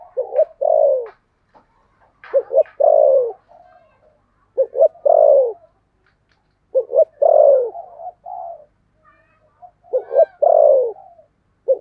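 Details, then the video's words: Spotted dove serving as a decoy to draw in wild doves, in the 'thổ' voice: about five steady repeats of two quick hoots plus a long descending coo, roughly every two seconds, with soft notes between. "Chim Cu Mồi giọng THỔ"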